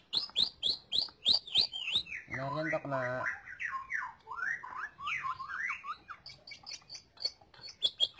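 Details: Lesser green leafbird song used to train other songbirds: rapid sharp down-slurred notes, then a harsh nasal buzzing burst and a tumbling run of varied chattering phrases, ending in bright high chips.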